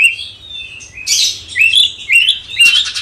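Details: Cucak cungkok bulbul master song for rousing a magpie-robin: drawn-out thin whistle, a harsh burst, then a series of rising whistled slurs about twice a second.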